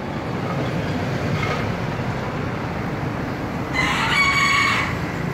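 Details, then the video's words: A green junglefowl crows once: a short, harsh, hoarse crow of about a second over a steady low rumble of background noise. "ayam hutan hijau berkokok"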